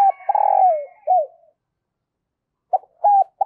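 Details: Spotted dove acting as a decoy in the early morning, calling to draw wild doves: a long rolling coo falling away, a descending short coo, silence, then a new phrase beginning with clipped notes.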